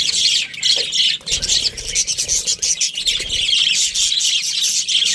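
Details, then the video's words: Australian budgerigars, a breeding pair, chattering loudly and steadily with dense, buzzy high chirps and squawks over faint low thumps. "Budgies Parrot chirping sounds | Australian budgies breeding pair"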